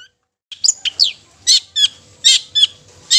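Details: Long-tailed shrike song used to stir rival shrikes: after a brief pause, loud harsh scratchy notes mixed with short whistled slurs, delivered in uneven bursts about every half second.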